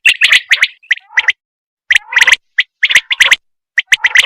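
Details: Female common quail calling, used in quail hunting: clusters of sharp, buzzy chirps in quick runs separated by short silences, rough and gargling in tone.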